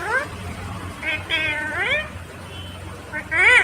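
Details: Green Indian ringneck parakeet talking: short nasal, speech-like syllables with harmonics that slide upward, a pause, then a louder rising phrase at the end; faint low hum underneath.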